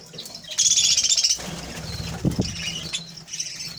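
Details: Captive budgerigars, a pair feeding their five chicks in a home aviary where other birds also nest; a dense burst of harsh, high, rapid chattering for under a second, then softer scattered chirps and faint low rumble.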